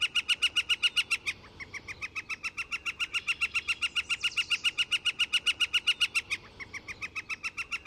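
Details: Northern flicker calling in a long, fast, evenly spaced string of ringing notes, about four per second, briefly faltering twice and then resuming at the same pace.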